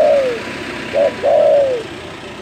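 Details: Spotted dove giving a loud call said to stir up rivals: a long falling coo, then a short note and another drawn-out descending coo, against a noisy background hiss.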